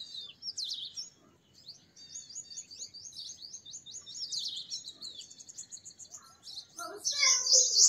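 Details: Purple sunbird song: high sharp twitters, then a fast run of evenly repeated high notes for several seconds, closing with a loud, harsh, buzzy burst.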